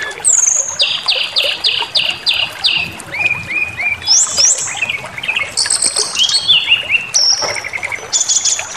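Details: Song of a brown-chested jungle flycatcher used to make birds rage and reveal their repertoire: a run of five identical sharp notes, three softer repeated whistles, then varied buzzy and slurred high phrases.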